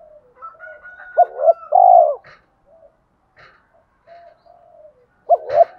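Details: Spotted dove's full song, described as very effective for provoking other doves; one complete phrase of two short coos and a long coo, then soft clicks and murmurs before a new pair of short coos begins.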